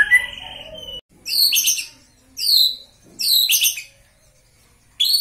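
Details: White-rumped shama made angry to train it for fighting, repeating loud high buzzy whistled bursts roughly every second with short silences between.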